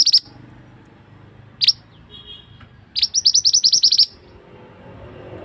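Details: Male scarlet-headed flowerpecker calling loudly, a sound used to lure birds for trapping in the forest. A few isolated sharp high notes, then one rapid burst of around ten ticking chirps.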